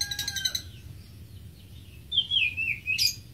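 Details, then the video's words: Greater green leafbird singing: a burst of sharp, rapid ticking notes, then a pause and a smooth warbled phrase that wavers up and down, ending with a high squeaky note. "Greater Green Leafbird (Bird Singing 74)"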